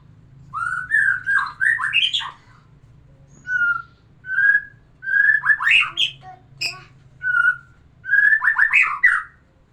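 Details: White-rumped shama, murai batu, whose song is played to arouse a female for breeding: rich phrases of fluty whistles mixed with rising squeaky notes and sharp clicks, sung in bursts with short pauses, over a low hum.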